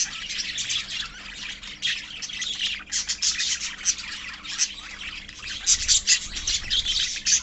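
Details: Pet budgerigar colony giving dense, continuous high chirping and warbling from many birds at once, in rapid bursts with brief lulls between them.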